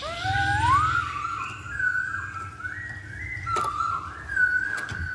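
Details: Masked laughingthrush song used as a lure to provoke other birds into singing: a clear whistle sweeping upward, then a run of level and wavering whistled notes, over a low steady hum.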